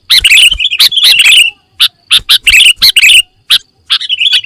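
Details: Full isian song of a sooty-headed bulbul: bright warbling phrases broken into short loud bursts with brief silent gaps, ending in a rising, wavering run.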